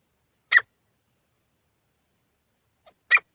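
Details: Grey francolin, known locally as teetar, giving two brief, harsh, scratchy call notes about two and a half seconds apart, with a faint softer note just before the second and quiet surroundings.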